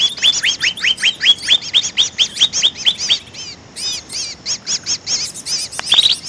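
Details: Greater green leafbird lure recording: a fast series of bright downslurred notes repeated more than twice a second, followed by softer looping chirps and a closing burst of higher twittering.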